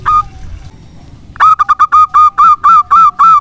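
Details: Singing local zebra dove, kept as a lure bird: one opening coo, a pause, then a rapid run of hollow, rounded cooing notes repeated evenly several times per second.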